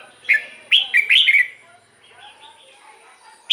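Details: Red-whiskered bulbul, song for decoy use or exciting caged birds: a cheerful whistled phrase of several quick liquid notes, followed by quieter warbling and a final sharp note.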